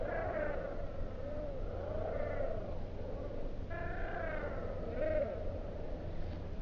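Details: Little gull recorded in Espoo, Finland, on 29 April 2019, giving nasal, arched calls with stacked overtones. About four calls come at irregular intervals over a steady low rumble.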